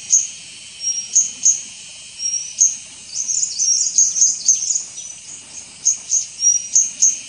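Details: White-gorgeted flycatcher (Anthipes monileger leucops) at Doi Ang Khang, Thailand, 24 March 2017, giving thin, very high, short whistled calls, irregularly spaced several per second, over a steady buzzing insect drone.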